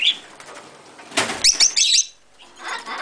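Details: A blue-masked lovebird let out of its cage to fly indoors gives a quick burst of shrill, high chirps right after a flurry of wingbeats, with one brief squeak at the start.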